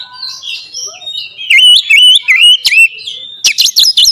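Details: Oriental magpie-robin song as a lure: soft warbling, then loud dipping whistles repeated about every quarter second, ending in rapid sharp upward-flicked notes.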